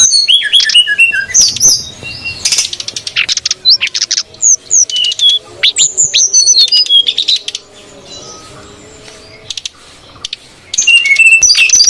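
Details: Brown-chested jungle flycatcher pair, female and male, on a wild-bird lure: sparse high chirps and short whistled notes with scratchy bursts, quieting to near silence midway before a noisy burst resumes at the end.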